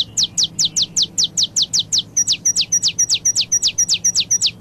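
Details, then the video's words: Saffron finch singing the Paulista song style, a long rapid string of about twenty piercing downslurred notes, each preceded by a tiny tick, shifting to a slightly different note shape midway. "CANÁRIO DA TERRA CANTO PAULISTA"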